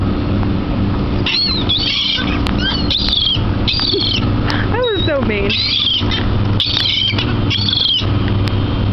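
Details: Many gulls at a dock by the water, giving repeated high, strained, downslurred squealing calls in overlapping bursts about every second, with one lower wavering call midway, over a steady low background rumble.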